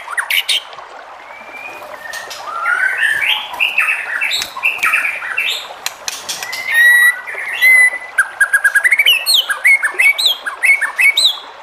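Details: White-rumped shama song meant to provoke other shamas into singing: rich varied whistles and slurred notes, then fast sharp clicks and rapid repeated upslurred notes toward the end, loud and busy throughout.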